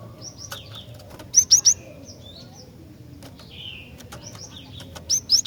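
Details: Female Javan sparrow calling to draw males: bright, piercing high notes in short bursts of three, repeated twice, with a brief buzzy chirp between the bursts over quiet background hiss.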